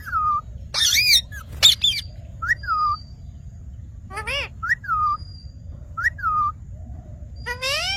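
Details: Green parrot giving clear, downslurred whistles repeated at intervals, with a few harsh squawks and a stacked rising call mixed in.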